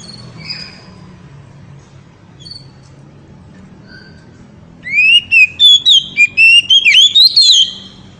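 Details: Oriental magpie-robin ngeriwik song, described as exciting the female: scattered faint notes, then from five seconds a loud rising whistle and quick run of sharp warbled phrases.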